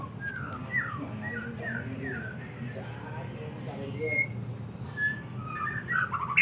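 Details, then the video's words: White-rumped shama song used to rouse emotion: a quick run of short downslurred whistles, then scattered sharp higher notes and brief rising phrases over a constant low hum. "suara naikin emosi muray batu"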